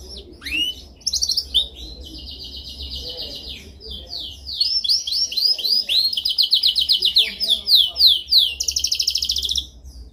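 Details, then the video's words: A canary delivers a dominant song meant for training: rising whistles open into long buzzy trills, shifting through several rapid rolling phrases and ending in a high bright trill, with a steady low hum beneath. "Canção mais dominante de canary para treinagem."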